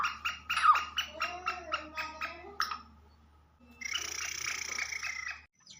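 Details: Black francolin call used to attract and excite the bird: a run of harsh, evenly spaced rasping notes, then a longer buzzy, grating phrase, with quiet background hum.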